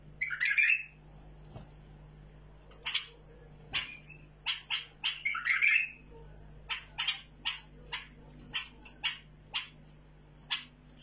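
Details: Tame bulbul opening with a loud, buzzy warbled phrase, then a second one midway, followed by a steady string of short, sharp chirps about every half second. A low hum persists.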